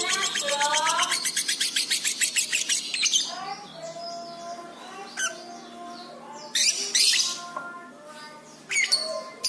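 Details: Pet-bird training recording (masteran) of a lovebird in full chatty song: a fast series of harmonic notes about four per second for three seconds, then scattered squawks, sharp chips and brief noisy bursts.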